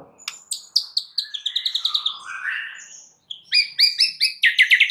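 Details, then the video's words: White-rumped shama lure song used to provoke other shamas into replying, with fast repeated high chips, a slurred downward whistle, then loud rhythmic notes. "dengar PANCINGAN murai Batu ini dengan CEPAT murai anda langsung NYAUT seketika"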